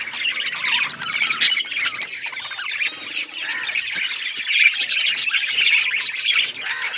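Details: Group of budgies making busy, squawky chirping chatter, overlapping warbled notes and short rasps with no clear gaps.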